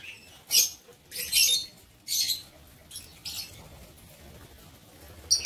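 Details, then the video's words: Harsh, high-pitched lovebird squeaks sound from a breeding aviary, repeated roughly every second in short bursts that grow softer, then a final sharp note. "Ternak Lovebird"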